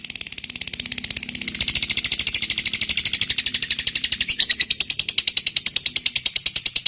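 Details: Fighter lovebird in long ngekek chatter, meant to stir silent lovebirds into sound: a dense, continuous, buzzy rattle of very rapid high notes that grows louder and sharper toward the end.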